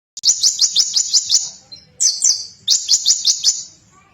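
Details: Konin bird singing loudly to provoke rivals: two bursts of rapid, high buzzy notes, about seven and then five in quick series, separated by a short pause with a brief twittering phrase between them.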